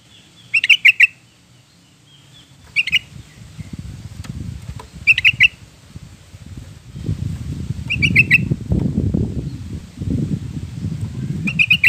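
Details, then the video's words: Yellow-vented bulbul singing, played to coax a caged bird into song: short bubbling bursts of three or four rapid notes at intervals, with a rising low rumbling noise in the background during the second half. "kicau burung trucukan"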